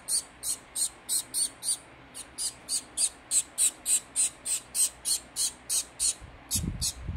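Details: Baby society finch of fawn colouring, fed by hand, calls in a long run of shrill, buzzy begging notes at roughly three per second. A brief pause falls midway, and soft handling rumble comes at the close.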